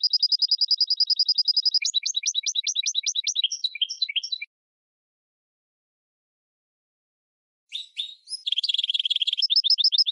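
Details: Goldfinch × red canary hybrid singing a tutor song for training birds: a steady rapid trill, then fast repeated two-note syllables and twittering, a silent pause of about three seconds, then buzzy notes leading into another quick trill.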